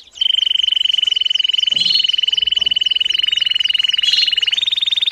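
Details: Domestic canary singing for training fledglings: a steady, very rapid pulsed trill held on one pitch for several seconds, with faint chirped notes above it, stepping slightly higher at the end.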